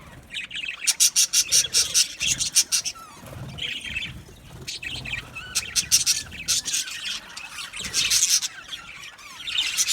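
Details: Australian budgerigars singing in an aviary colony: rapid strings of harsh, high chirps, roughly four to five per second, broken by brief softer warbling passages, with more chattering voices joining toward the end.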